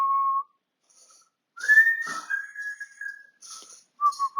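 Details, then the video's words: African grey parrot, a pet, whistling on 20 August 2022: a low steady tone, a pause, then a long higher whistle that wavers and slowly drifts down, ending with low wavering notes. "My African Grey Parrot Whistling Away"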